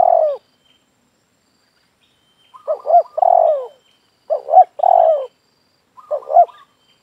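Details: Spotted dove cooing in a yard, its voice serving as a lure for other doves. Several phrases mix quick stuttering notes with long, slurred, downward coos, separated by short silent gaps.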